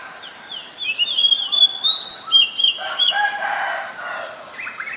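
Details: Oriental magpie-robin, a very common resident, recorded in Ubon Ratchathani, Thailand, on 7 January 2021 with a Nikon P1000: clear high whistled notes, some sliding down and some held, in a quick varied run, then lower harmonic crowing behind.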